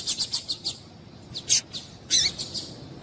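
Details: Calls of a female double-collared seedeater, meant to stimulate a male: a quick run of five bright, high chirps, then a pause and a few louder, buzzier notes.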